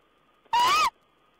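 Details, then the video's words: Owl on 14 April 2010, giving one loud, harsh, rasping call lasting under half a second, slightly rising then falling, over a steady faint electronic tone. "Owl's talk"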